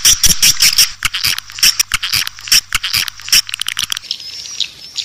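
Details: Edible-nest swiftlet lure sound in the 'Raja Liur Emas' style, meant to draw swiftlets into a swiftlet house: rapid, uneven bursts of dry, rattling chirps with a thin high whistle over them, ending in a softer twitter.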